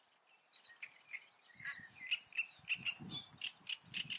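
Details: Great reed warbler in the Eifel: harsh, grating notes repeated roughly every quarter second, growing louder, with low rumbling background noise underneath.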